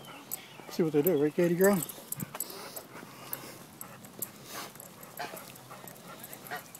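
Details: Geese on an asphalt path, unsettled by a person walking up behind them, give a short run of nasal, wavering honks, then fall quiet amid faint background noise.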